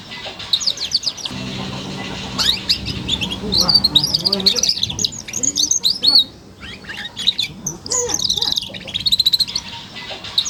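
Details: Young F1 SF canary, four months old, producing ngeriwik chatter: uneven high chirps, buzzy trills and short bursts over steady low background noise.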